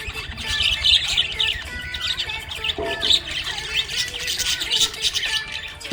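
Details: Happy pet budgerigar chirping: dense, warbling chatter of short high chirps and squeaky notes, with a steady low hum underneath.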